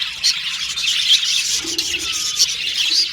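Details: Contented budgies chattering with harsher squawky chirps and short whistled notes on top of dense high twittering from the rest of the group.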